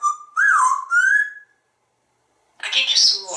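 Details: A pet African grey parrot, living indoors in a Texas home, whistles a wavering tonal phrase that rises and falls. After a pause it utters a breathy, speech-like burst in a small quiet room.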